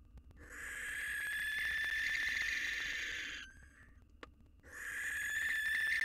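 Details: Barn owl at a nest box, a male wooing a new female three days after losing his mate, fledgling present. A drawn-out raspy screech lasts around three seconds and ends abruptly, then another begins after a short silence.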